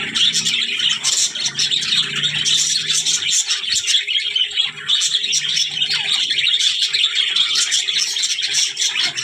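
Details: Steady, busy budgie chatter of shrill chirps and warbling twitters, many overlapping notes with a faint low hum underneath.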